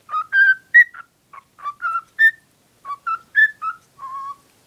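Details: Lovestruck female pet cockatiel directing her affection at a cuddly toy: tuneful whistled notes climbing in small steps, grouped in short phrases, closing on a long low steady whistle.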